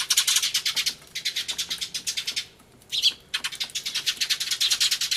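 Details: Sparrows crying loudly in a commotion, 24 March 2013, camcorder recording with a turtledove present; long trains of rapid high chirps, a short silence, one sharp squeak, then another dense chirping run.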